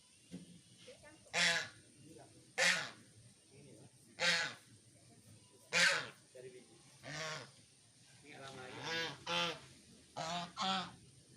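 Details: A brave goose chasing off a lutung monkey in a garden gives loud, harsh honks in short bursts, spaced irregularly a second or two apart.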